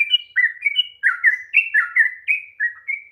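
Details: Sooty-headed bulbul singing a long rolling song, used to provoke reluctant birds to sing: rapid run of bubbly whistled notes alternating between higher and lower pitches, about three notes per second, clean with no other sounds.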